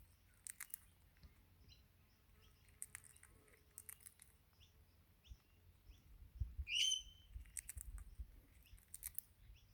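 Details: Wild Crimson rosella, an Australian parrot that comes most mornings to take sunflower seeds from the hand, seeming to call out for food; one loud, clear upslurred whistle stands out amid sharp seed-cracking clicks and faint chirps of other birds.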